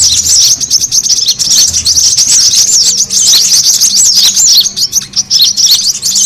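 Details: Brown-throated sunbird lure sound for gathering birds: high, scratchy twittering with fast looping notes and trills, dense and continuous, dipping slightly in loudness near the end.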